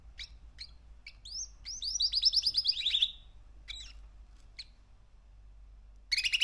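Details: Young male canary, three months old, singing: sharp chirps leading into a fast run of repeated downward-sliding whistles, a pause with scattered notes, then a sudden buzzy trill at the end.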